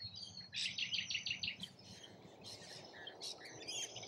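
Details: Rainbow lorikeets feeding in Australia give a quick rasping buzz of rapid pulses, then scattered screechy squeaks that are softer and more distant, over a low background hiss.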